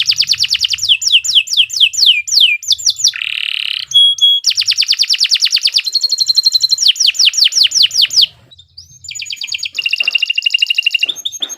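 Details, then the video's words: Long, shrill canary song for tutoring other birds: falling whistled slurs, a coarse buzz, rapid rattling trills, a brief dip in volume, then rising notes and further trills. "Kicau Burung Kenari II GACOR PANJANG Cocok untuk Masteran"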